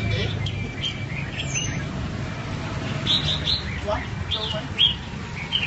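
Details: Red-whiskered bulbul in 'double voice' song, kept for voice training: scattered short, bright whistled and chirped phrases recurring across the clip over steady low rumble and faint human voices.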